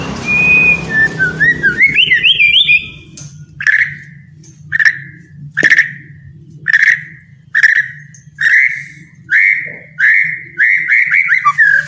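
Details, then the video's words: White-rumped shama song, played to stir lazy captive birds into singing: opening run of rising and falling whistled notes, then a loud clear slurred note repeated roughly every 0.8 seconds, with a steady low hum underneath. "MURAI MALES BUNYI..JADI GACOR PLONG"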